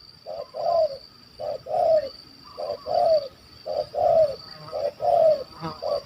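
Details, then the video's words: Big-voiced spotted dove of the stuttering 'kuk 1 2' kind, hunted in Malaysia, repeats paired coos, a short note then a longer falling one, six times in steady rhythm, muffled by rumbling background and a high whine. "Bl Gagap Suara Besar Kuk 1 2"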